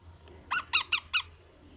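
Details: Four harsh, squeaky begging notes in quick succession from a baby parrot at feeding time, indoors with low background hum.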